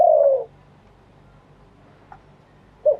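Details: Spotted dove cooing live in wild-style phrasing. One long, mellow, gently falling coo opens the recording, then a quiet gap follows, with a brief soft note near the end.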